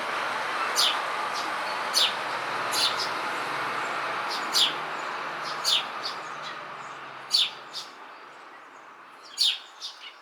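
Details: Eurasian tree sparrow chirping on a house beam: short, high, scattered chirps at irregular intervals, some in quick pairs, over a steady broad rushing background noise.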